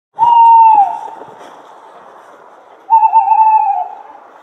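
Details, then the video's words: A Tawny owl gives a clear, mellow hoot that slides down at the end, then a long pause and a second, wavering, drawn-out hoot. "Tawny Owl Sound"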